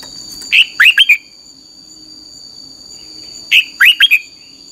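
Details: Lively 'căng lửa' song of a red-whiskered bulbul recorded for training other birds: two bursts of four liquid whistled notes, three seconds apart, over a thin continuous whine.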